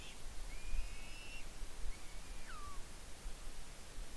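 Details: Eagle eating fish at its nest on Smola, Norway, squeeing with excitement; two drawn-out thin whistles, the second bending down into a falling slur, over background hiss.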